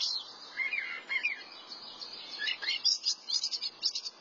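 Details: Continuous thrasher song of rich, varied phrases: gliding slurred notes early on, then fast clusters of sharp chips and trills, loud over faint background noise.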